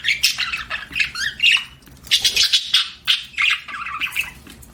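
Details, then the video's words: Pet budgerigars chirp with bursts of raspy squawks and a few rising whistled slurs, loud calls separated by brief pauses. "BUDGIE CHIRPING SOUNDS"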